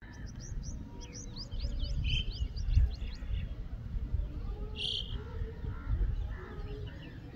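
Red-wattled lapwing giving a fast run of sharp, high chirping notes for about three seconds, then one more sharp note, over heavy low wind rumble.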